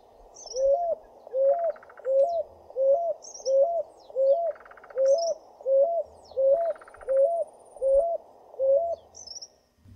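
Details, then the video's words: A Picui Ground Dove (rolinha-picuí) in Brazil sings a steady series of short, low, hollow coos, about one every 0.7 seconds, with faint high chirps from other birds in the background. "Rolinha-picuí, canto da rolinha-picuí"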